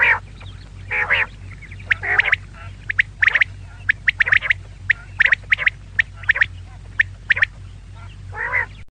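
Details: Female quail uttering a long, irregular run of sharp, high chip notes in twos and threes, broken by several harsh, nasal squawks, with a constant low hum beneath.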